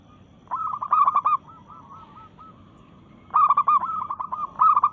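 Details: Breeding-mood local zebra dove in full song against rivals: a clipped, rapid cooing phrase, a softer trailing series of coos, then a second loud bubbling phrase.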